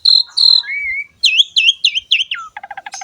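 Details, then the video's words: Asian pied starling giving clear level whistles, a slurred rising note, then a run of looping downslurred calls and a rapid pulsed chatter; recorded to stimulate lazy or newly caught starlings to start singing. "MASTERAN BURUNG JALAK SUREN SUPER GACOR PALING DICARI"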